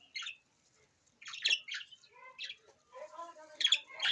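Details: Budgerigars, recorded June 11, 2024, give separate squawky chirps about every quarter to half second. Softer warbled notes sound between them, and a final cluster of sharp calls closes the passage.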